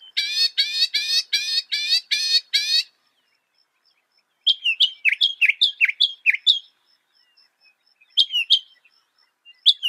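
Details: Northern mockingbird song opening with a fast series of rich, harmonic notes, then after a pause a run of sharp, varied upslurred chips, with a faint steady tone in the background.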